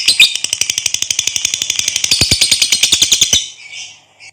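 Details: Lovebird's long rattling trill used as training material for other lovebirds: a rapid series of harsh chattering notes, about eight per second, running steadily for over three seconds before stopping abruptly, with a faint note after.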